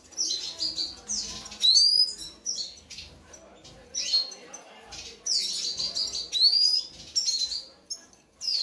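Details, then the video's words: Red siskin (Carduelis cucullata) during mating, giving high, thin twittering and buzzy notes with quick upward-sweeping whistles in bursts roughly every two to four seconds. "Proceso de apareamiento Carduelis cucullata"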